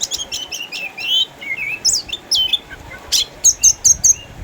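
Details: Loud, energetic singing from an eight-year-old caged orange-headed thrush in Sukabumi, a former champion kept home with cataracts: tumbling high whistled phrases and slurs, then a series of five sharp repeated notes.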